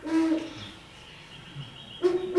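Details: A Great Horned Owl pair, territorial residents in New Jersey woodlands, duet with deep, soft hoots, one at the start and another two seconds later, over a faint background hiss.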